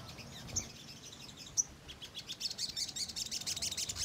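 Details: Ruby-cheeked sunbird chattering energetically as a lure to provoke birds. A couple of isolated high squeaks come first, then from about two seconds a quick, dense stream of high twittering notes builds and carries on.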